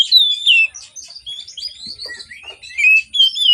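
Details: Morning song of an Oriental magpie-robin, played as a lure for birds slow to sing: loud wavering whistled notes open and close a busy stretch of high chirps and twitters.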